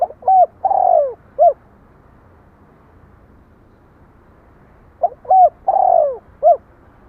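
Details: Two cooing phrases from a spotted dove about five seconds apart, each a short coo, a held note, a long falling coo and a clipped ending, with quiet between.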